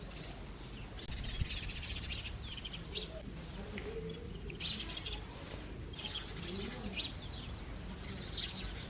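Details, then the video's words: House sparrows chirping in early morning: bursts of bright, rapid high chirps come in clusters every second or two over a steady low background rumble, with a few soft lower cooing notes in between. "Natural Sparrows Chirping Sounds"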